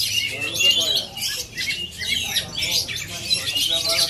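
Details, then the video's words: Native Aceh oriental magpie-robin performing: bursts of shrill, scratchy high chattering and whistles that come in uneven waves, loud and almost unbroken across the few seconds. "Aksi kacer asli aceh"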